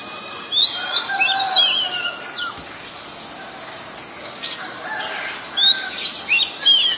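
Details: Song of an Oriental magpie-robin, very common resident in Ubon Ratchathani, Thailand, taped 23 December 2019 on a Nikon P1000: loud, clear whistled phrases of slurred rising and falling notes in two bursts, with softer chatter between.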